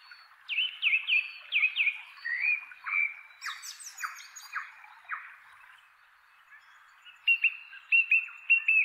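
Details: Tree top call of a male Song Thrush in a chestnut tree, inland Kapiti, New Zealand: loud whistled notes, each phrase repeated three or four times in a row, including a high squeaky burst and a run of falling notes, then a new repeated figure.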